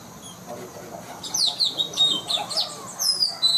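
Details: Blue-rumped parrot calling loudly, used as a lure for trapping birds; after a quiet start come sharp, high, squeaky chirps in quick bursts, roughly seven notes over two seconds, over faint background noise.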